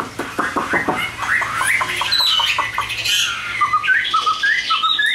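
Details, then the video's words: Chinese hwamei, caged, opens with a series of harsh rapid chattering notes, then shifts into a flowing whistled song of slurred phrases dipping and rising. "HÓT TỐT"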